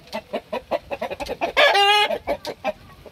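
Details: Large native rooster in a village yard at Gosaba, West Bengal, India, in the afternoon with rain and thunder, gives a fast run of clucking notes, then a loud, brief, tonal squawk; the owner suspects it is a fighting rooster.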